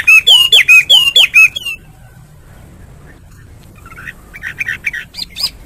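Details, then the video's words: A Chinese hwamei singing in the morning: a burst of loud, harsh, looping notes in quick succession, then a pause before a run of softer, high chirps. "Nghe chim họa mi hót hay mỗi sáng"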